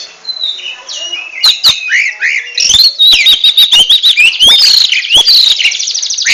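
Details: Oriental magpie-robin ngentrok song: it starts with soft whistles, then speeds into a rapid chatter of sharp notes and buzzy trills, loud and continuous to the end.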